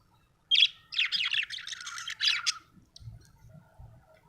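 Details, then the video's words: Happy budgie chirping: a quick high chattering warble of rapid twittering notes lasting about two seconds, followed by faint low knocking sounds. "happy budgie chirping sound"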